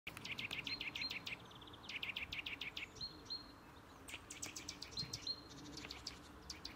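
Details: Eurasian nuthatch (Sitta europaea) at Žale cemetery, Ljubljana, Slovenia, 18 February 2024: quick runs of sharp, high call notes, several per second in bursts, over a steady background hum.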